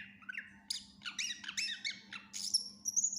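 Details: Greater green leafbird singing a full, lively song packed with mimicked phrases, a recording meant for tutoring other birds: short rising whistles, then clustered high chips and a drawn-out thin whistle at the end, over a steady low hum.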